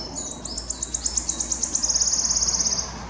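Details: Singing male wood warbler at Dove Stone RSPB, Oldham, Greater Manchester, 11 May 2021; high thin notes accelerating into a fast shivering trill, about three seconds long, steady low background hum.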